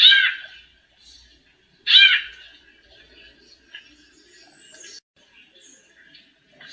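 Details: A female white-necked thrush singing in male fashion, used for warming up: two strong ringing phrases two seconds apart, followed by faint scattered chirps and thin high notes indoors.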